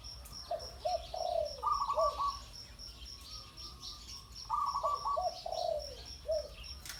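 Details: Spotted dove, linked to ground decoying of doves, gives soft cooing phrases of a few low notes with a higher middle note, repeated twice, over a steady high insect buzz.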